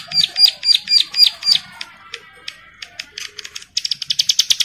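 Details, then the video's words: Bar-winged prinia in breeding condition calling other females that reply: six loud high chirps in even rhythm, a spell of fainter scattered ticks, then a fast run of bright high notes. "CIBLEK SAWAH BIRAHI GACOR MEMANGGIL BETINA YANG LAIN IKUT NYAUT"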